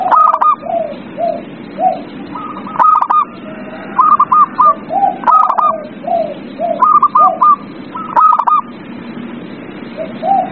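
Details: Lure recording of zebra dove song for a lazy singer. Clustered, rapid, stuttering coos alternate with soft lower notes in a fairly regular rhythm, over a persistent low hum.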